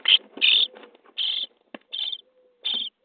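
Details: Nest-box starling chicks, day 23, begging at feeding time: a few strong rasping bursts separated by gaps, with low muffled scuffling and a faint steady hum underneath.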